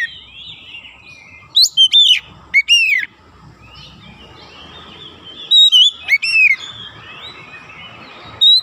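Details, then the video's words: Oriental magpie-robin on a training recording for young birds, meant to encourage quick, dense 'nembak rapat' song. Several bursts of sharp, down-slurred whistles are spaced a few seconds apart against a steady faint hiss and hum. "TERAPI KACER BAHAN CEPAT NEMBAK RAPAT"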